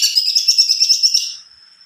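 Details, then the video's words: Greater green leafbird in full, long rolling song: a rapid run of high, pulsing chattery notes that fades into a single thin, steady high whistle. "burung cunkok gacor.rol pjang"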